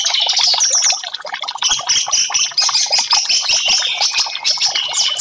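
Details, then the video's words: Song of the orange-headed thrush, played to make silent birds respond. Rapid, jumbled high twitters and short whistles run continuously, dipping slightly in volume around one and two and a half seconds. "TERAPI Burung Anis merah 5menit burung macet langsung respon"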